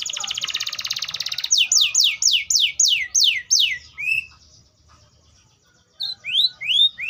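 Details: Atlantic canary song: a fast buzzy rattle, then a string of about eight loud, sweeping downslurred whistles at roughly four per second, a brief near-silent pause, and a few rising whistled notes.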